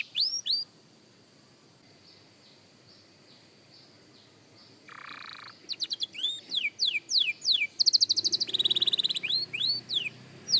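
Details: Young canary practising: scattered soft high notes over a quiet stretch, a brief harsh buzz, then livelier song of falling whistles, dense rapid trills and curved whistled phrases.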